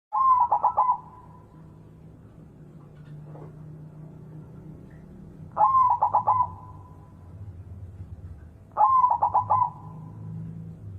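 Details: White zebra dove, locally perkutut putih, singing a loud cooing phrase: a mellow opening note followed by quick trilled, stuttering coos, about a second long and repeated roughly every three to four seconds, over a soft low background hum.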